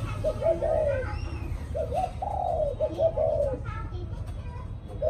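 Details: Spotted dove cooing in the evening: soft, low, hollow coos, short clipped notes followed by longer drawn-out coos that fall slightly at the end, set against a steady low rumble with faint higher chirps.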